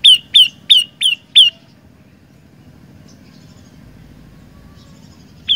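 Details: Olive-backed tailorbird with three song variations: five quick, sharp downslurred notes, then quiet with a faint low hum, and one more note at the very end.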